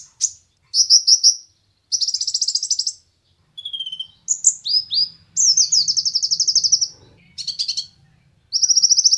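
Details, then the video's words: Konin singing as master material for competition songbirds: a varied run of high trills, short whistled slurs and a lower brief phrase, separated by short pauses, with faint low hum underneath. "konin materi burung lomba cocok untuk masteran dan pancingan burung kesayangan"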